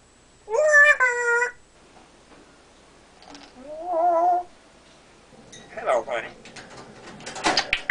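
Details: Captive male African grey parrot, a mimic of speech and burps, gives a strong harmonic call, then a softer rising one. The clip ends in noisy, broken chatter.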